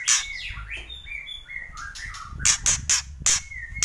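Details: White-rumped shama, a loud kretek performance: harsh broadband rattling bursts in quick clusters, alternating with clear whistled notes that slide up and down in short phrases.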